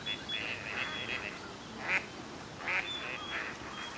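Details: A gadwall at a park pond in Chiba, Japan, in November, a winter visitor, calls during courtship display for pair formation: short, nasal, raspy calls in clustered bursts roughly every second, over a faint thin whistle and low hum; Gadwall.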